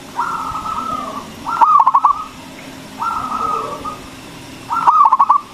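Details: Local zebra dove with a strong voice, played to lure other doves into song: long level coos alternating with bursts of rapid staccato cooing notes, each burst about three seconds apart.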